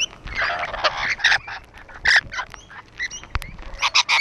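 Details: Rainbow lorikeets on a wall give scattered harsh squawks and short shrill chips, with a few louder screeches standing out.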